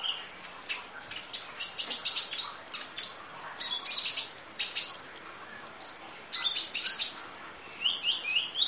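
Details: Kolibri ninja sunbird in full 'isian nembak' song, long-duration masteran tutor recording: dense bursts of high, thin chirps and buzzy trills, sharp rapid notes clustered in busy phrases with short pauses between them.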